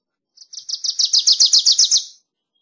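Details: A Wilson's warbler delivers a fast, steady chatter of about a dozen sharp, high notes that swell in volume and then end cleanly, with a quiet background.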